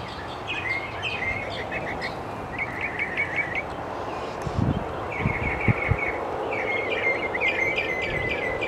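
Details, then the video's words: Duelling northern mockingbirds in Central Texas on a beautiful day, one bird close and its partner behind; bursts of quick repeated chirped phrases with pauses between them, plus wind gusts and low thumps. "Duelling Mockingbirds"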